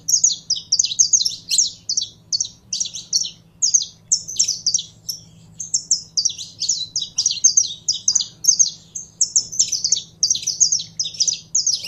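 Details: Saffron finch in a cage, warmed up through handling to sing. A long, nearly continuous stream of quick, high, chattering chirps comes in phrases, with a short lull midway, over a low steady hum.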